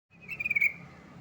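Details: Yellow-vented bulbul calling a rival: a brief burst of quick, bubbly, pulsed notes lasting under half a second, then fading, over a faint low background hum.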